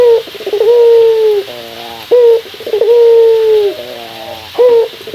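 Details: Male puter dove calling a rival with a rich voice. A short note leads into a sustained, gently falling coo and a rippling rolled ending, repeated twice with a short note between.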